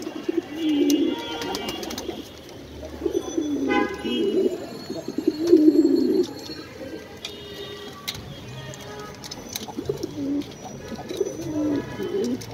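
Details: Several pigeons feeding indoors give low cooing phrases around one, four and six seconds. Scattered clicks and splashes run through the background.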